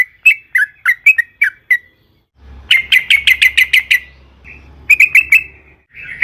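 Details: Yellow-vented bulbul: six quick chattering notes, a brief silence, then a faster burst of bright repeated notes over a low rumble, ending with a few scattered phrases.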